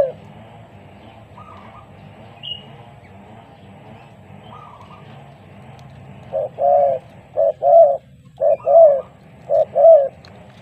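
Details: Lure spotted dove calling against a newly trained bird: after several quiet seconds with faint distant notes, a run of low two-part coos begins, a short note followed by a longer arched one, repeated roughly every second.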